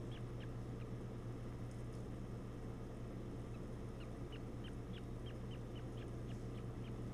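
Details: Two newly hatched osprey chicks in a nest, brooded under the parent's belly: faint, thin, short rising peeps repeated about once a second in loose runs, over a steady low hum and rumble.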